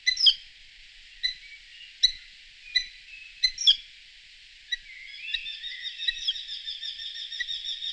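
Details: Eurasian hobby calling: scattered single piercing notes at irregular gaps, then a quicker run of repeated rising notes towards the end.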